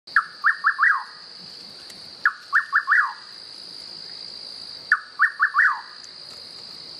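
Rufous Nightjar repeating a short, quick phrase of a soft note and rising chips ending in a falling whistle, about every two and a half seconds, over a steady high insect drone.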